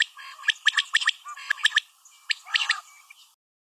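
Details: Female common quail calling: sharp, clipped notes in quick clusters of four to five, a brief pause, then a second, looser burst that fades out.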